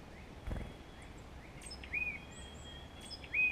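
Tufted titmouse giving brief, clear whistled notes that rise then slur down, about one every second and a half, with fainter high thin notes over steady outdoor hiss.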